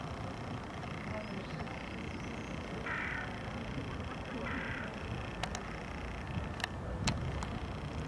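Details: A female ruddy shelduck at Trnovski pristan, Ljubljana, on 2 February 2023, gives two short nasal honks about a second and a half apart, over a steady low rumble of traffic and a few sharp clicks.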